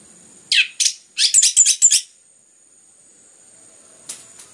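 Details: Orange-headed thrush singing as a lure to get other birds singing: two scratchy notes, then a quick stuttering series of five or six harsh high chips, followed by silence and a faint note near the end.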